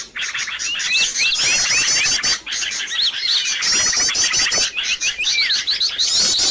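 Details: Chattering birds used as a lure so birds come straight away: overlapping whistled swoops, rapid chips and high trills from several callers, dense and constant.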